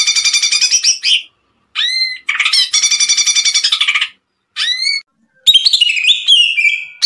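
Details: Energetic tembakan song of a greater green leafbird: rattling trills alternate with upswept whistles, ending in a quick sequence of varied whistled notes.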